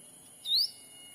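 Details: Black-capped bulbul lure call from a Sumatran forest, meant to draw wild birds close: one brief, thin whistle gliding upward, fairly soft, with a faint steady high hum underneath.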